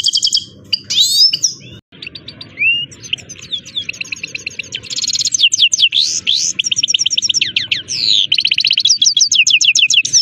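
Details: Himalayan goldfinch (saira) in full song: a fast, dense run of bright twittering chirps, buzzy trills and sharp rising and falling notes, delivered in quick repeated bursts that grow steadier and more rhythmic toward the end.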